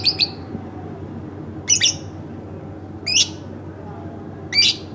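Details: House-kept lovebird uttering short harsh double squawks, four bursts spaced roughly one and a half seconds apart over steady low background hum.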